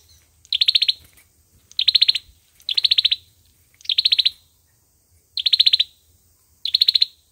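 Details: Olive-backed sunbird in fighting song, a trapping lure recording: six high, buzzy trills of quick pulses, mostly about a second apart, with one longer pause near the middle.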